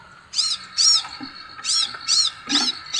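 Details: Scarlet sunbird giving loud, ringing high notes, each rising then falling, spaced irregularly across three seconds over a faint steady tone.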